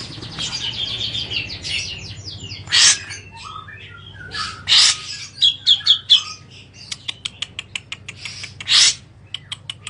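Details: Grey-cheeked bulbul bathing, whose calls are meant to calm agitated or breeding birds of its kind and serve as a tutor: rapid chattering notes with short whistled phrases, broken by loud broad splashing bursts, then a series of sharp clicks.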